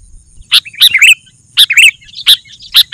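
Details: Vigorous Sooty-headed bulbul song, used as a tutor and to call wild bulbuls: sharp bright chirps in irregular short bursts, some paired into a slurred twittering phrase, with gaps between them and a faint low hum.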